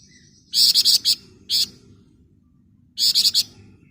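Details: Flamboyan bird singing in the ngebren rapat nyerecet style: a quick burst of five rasping high notes, a single buzzy note, a pause, then a four-note rattle, over a faint low rumble.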